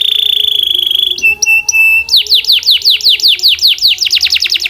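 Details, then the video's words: Belgian canary singing powerfully and clearly: a steady fast high trill, then a few short clipped notes, then a run of swooping down-slurred whistles about five per second, ending in a rapid rolling trill. "The Strongest Belgian Canary Singing Voice - Powerful and Clear"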